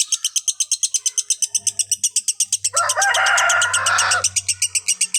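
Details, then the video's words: Lovebird repeating rapid high chirps at a steady pace, broken by a harsher, denser rasping burst of about a second before the chirps resume; faint low hum underneath. "Masteran Love bird konslet"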